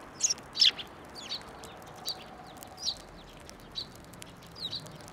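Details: Sparrows flying onto a hand to be fed at a Tenmangu shrine on 11 March 2024: short, high, sharp chirps scattered irregularly, a louder double chirp near the start, then softer single notes every second or so over quiet background.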